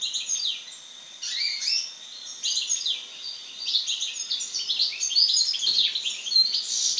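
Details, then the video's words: European goldfinch singing after its moult: fast twittering phrases of high tinkling notes, buzzy trills and quick slurred chirps, pouring out almost without pause over a faint steady hum. "European Goldfinch (Carduelis Carduelis) after moult song."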